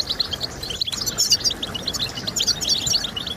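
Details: European goldfinch song for encouraging singing: short bursts of high, tinkling chirps and buzzy twitters, brief pause near the start, then quick jumbled notes continuing to the end.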